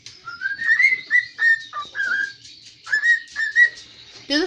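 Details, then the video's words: Kitchen-kept pet cockatiel whistling a tune, reportedly the Addams Family theme: a steady string of short level and rising whistles, about two per second, in two phrases, ending with a brief voice. "My bird singing in the kitchen"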